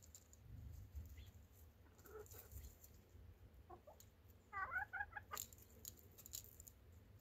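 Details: Chicken giving a quick burst of short, harmonic clucks midway through, several notes tumbling close together, preceded by scattered soft taps and scratching, over a steady low background hum.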